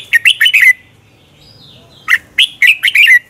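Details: Morning competition song of a red-whiskered bulbul, used as a decoy to train birds: two quick, cheerful phrases of four to five clipped whistled notes each, ending on a downslurred note, separated by about a second of quiet.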